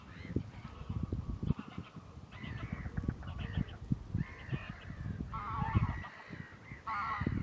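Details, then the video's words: Common mergansers in courtship, mostly males chasing one another while following few females, Fyrisån, April 2 2022; bursts of nasal honking calls with vibrating, quavering notes, several callers overlapping above low rumbling noise. "Common Merganser courtship shenaningans"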